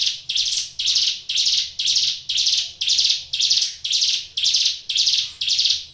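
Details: Ciblek gunung prinia in full song: twelve evenly spaced, dry buzzing notes, roughly two per second, each a rough rasp that swells and tapers. Steady low hum beneath.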